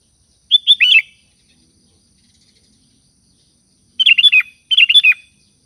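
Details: Sooty-headed bulbul, described as lively and chatty, calling its companions: three bubbly, fluty phrases of quick warbled notes, the first alone and the last two close together after a pause of about three seconds.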